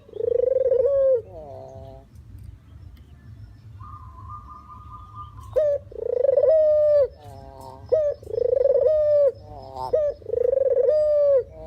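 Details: Lure call of a puter or deruk dove: rolling purred coos with a rising, level tail repeat several times, after a quieter stretch holding a faint steady higher tone.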